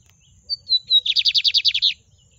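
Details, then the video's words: Lined seedeater singing the Miro style song 'na baixa': four clear whistled notes stepping slightly downward, then a rapid run of about ten buzzy, rasping notes, all on a quiet background. "Bigodinho de Miro cantando na baixa!"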